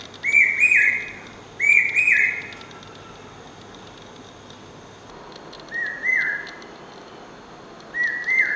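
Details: Common hawk-cuckoo, or brain fever bird, singing incessantly: loud whistled phrases, each a pair of rising notes, given twice, then a pause, then again more faintly. Steady background hum and a faint rumble throughout.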